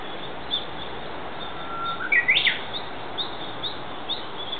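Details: Japanese bush warbler singing in the woodland of an ecological garden on April 15. A faint, long, level note leads into a quick rising, twisting flourish. Scattered soft chirps surround it, and a steady broad hiss runs throughout.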